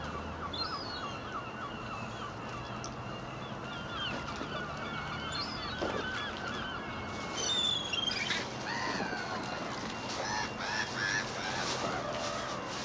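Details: Seagulls squabbling over bread thrown from a moored boat at Fleetwood Docks on a sunny day; faint distant cries, then a burst of overlapping harsh, rising and falling calls from several birds in the second half.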